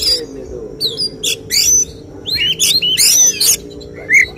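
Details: Oriental magpie-robin in a songbird contest giving the judge-targeted 'tembakan' phrases. Short bursts of harsh notes and high thin whistles come in spaced clusters, with pauses and low background murmur.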